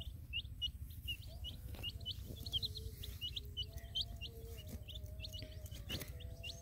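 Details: Young colored chicks with a hen in a field, peeping: many rapid, high, thin chirps overlapping continuously, with a steady low rumble underneath and a few lower drawn-out tones.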